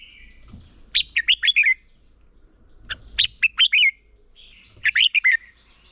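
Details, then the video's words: Red-whiskered bulbul decoy singing in competition, recorded to train other birds to sing: three short, lively phrases of five or six clear, slurred whistles spaced about two seconds apart, with light low background noise between them. "Chào mào mồi hót đấu quá tuyệt - Luyện giọng Chào mào hót hay ép bổi sổ bọng và căng lửa"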